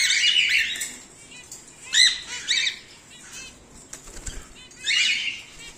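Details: Harsh squawks from home-bred cockatiels (whiteface emerald, exhibition grey male) come in scattered bursts: a long raspy call at the start, short screeches in the middle and another near the end, with a brief flutter-like rustle between.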